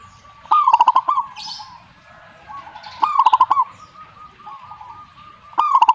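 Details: Zebra dove singing: a clear phrase of quick, stuttering coo notes that trails into a longer coo, repeated about every two and a half seconds. Softer cooing from another dove fills the gaps.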